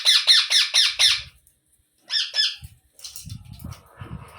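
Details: Young Indian ringneck parrots calling while being fed: six quick rasping, buzzy pulses, a short second burst after a pause, then faint low thumps and rustling.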